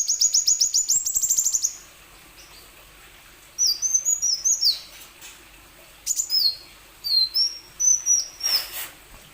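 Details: Plain sunbird song for prompting other sunbirds to sing: a fast high trill, then a pause, then irregular groups of sharp, slurred high chirps broken by short silences.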